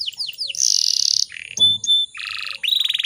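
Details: Breeding-condition female canary used as a lure for male song: a couple of falling sweeps, a loud buzzy rattle, brief clicks and tones, a lower harsh burst, then a fast trill.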